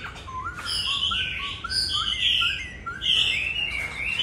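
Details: Laughingthrush song of the 'Bắt cô chói cột' style, with a run of short rising whistles repeated roughly twice per second. Louder, sweeping warbled phrases lie above them against steady background hiss.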